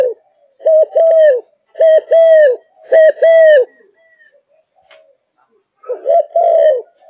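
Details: Zebra dove, a kept bird in peak singing condition that sings from morning to night, giving loud low cooing phrases, each a short note followed by longer rolling coos, in three bursts with a pause before a fourth phrase.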